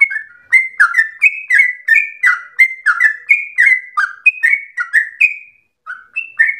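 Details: Sooty-headed bulbul, locally trucukan, singing gacor with a long ropel likened to a straw-headed bulbul: crisp whistled phrases in a fast stream, then a short gap before two final notes.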